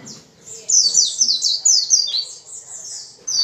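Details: Vigorous 'gacor' singing of a white-eye, played to spur other white-eyes into song. Bursts of high, sweet, slurred whistles dropping in pitch run rapidly together, with a short pause before a final phrase.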